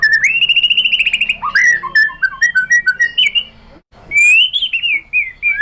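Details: Lure song of a white-rumped shama, meant to set another bird singing: a long pulsing whistled trill, then a string of short varied whistled notes, a brief pause, and more rising and falling phrases.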